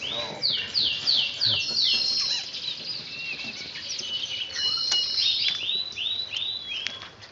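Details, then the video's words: Oriental magpie-robin (kacer) practising its song: an opening run of rapidly repeated swooping high notes, then softer chirps and a second run of looping notes near the end. "Burung Kacer lagi latihan"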